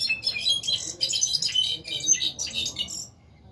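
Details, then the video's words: Brown-backed solitaire kept in a cage, one of a set of six, 2020 season, pouring out a rapid tangle of shrill, metallic whistles and twittering trills for about three seconds before falling quiet. "jilguero cantando"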